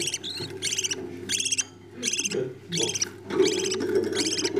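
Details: Budgerigar chicks being fed by their parents: rasping, harmonic-rich begging calls in quick bursts of about half a second, repeated steadily with short pauses over a low indoor hum.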